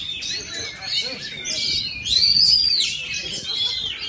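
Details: Oriental magpie-robin, a caged songbird in a practice competition, singing loud varied phrases: shrill rising and falling whistles, sweeping notes and fast chattering trills over a busy background of other birds.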